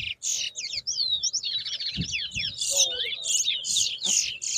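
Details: Towa towa in a whistling competition at Bath Settlement, Guyana, 2022, delivering an energetic unbroken song of rapid slurred whistles and buzzy chirps, rising and falling, with faint voices behind.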